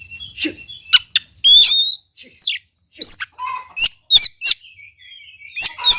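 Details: Oriental magpie-robin (kacer) song used to lure a quiet bird into singing: loud whistled slurs, sharp clicks, and a few lower buzzy notes, with varied phrases broken by brief silences.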